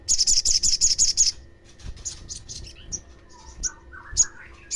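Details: Lure sound of the olive-backed sunbird, used to trigger other sunbirds into calling: a quick rhythmic string of about nine piercing high chirps, then scattered softer twitters and short notes.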